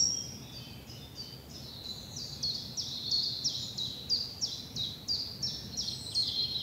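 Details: Woodland birdsong at dawn among spring bluebells in southern England: a bird repeats short, sharp, descending chirps about three times per second in a steady series, over a quiet hiss of background.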